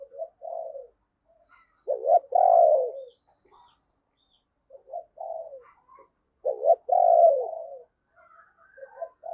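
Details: Decoy spotted dove luring wild birds in the morning, giving hollow coo phrases about every four seconds. Each phrase has a soft lead-in coo, a clipped double note and then a long falling coo.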